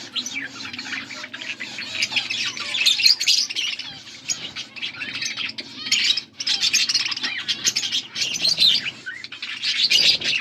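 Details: Blue budgies feeding one another on August 13, 2024, keeping up a long run of dense, gravelly warbling and squeaky chirps, with a short gap near the middle and faint low hum.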